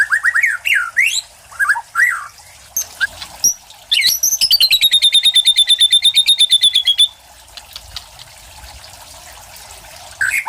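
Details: Captive white-rumped shama, a competition-winning bird from Cililin, singing varied whistled phrases: short rising and falling notes, then a rapid run of about 25 evenly repeated sharp notes for three seconds, followed by quiet pauses.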